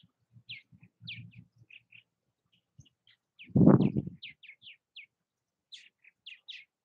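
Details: Purple Martins around nest houses in Southwest Missouri: a steady run of short, sharp, downslurred chirps repeated about every half second, with soft low bumps and one loud thud midway.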